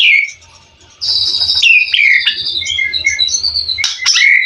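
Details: Mutant white-rumped shama singing competition song stuffed with imitated phrases: varied, fast whistled and chattering notes switching pitch rapidly, with a low rumbling hum beneath.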